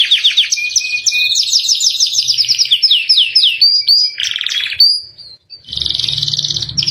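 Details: Captive canary singing an elaborate song used as a master recording for training birds: rapid trills of high whistled notes, fast repeated sweeping downslurs, a buzzy rattling phrase, then a dense high trill over low background hum.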